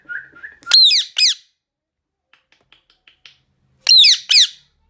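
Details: Loud screaming from an Indian ringneck parrot, a harsh doubled screech, then soft faint clicks, then another piercing falling double screech near the end.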